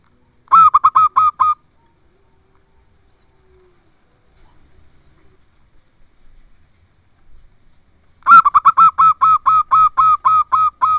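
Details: Female zebra dove calling the male: a quick string of staccato, bright notes, a long quiet gap with faint background murmur, then a longer rapid series of about a dozen ringing notes.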